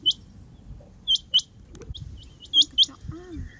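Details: Rain quail calling: short, sharp, high notes delivered in quick pairs, one pair after about a second and another near the end, over a low rustling background with faint clicks.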